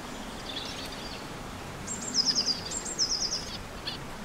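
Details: On a sunny day, a male zebra finch sings on top of his nest while playing with straw and string, giving a quick run of high, nasal, buzzy notes with a soft hiss behind.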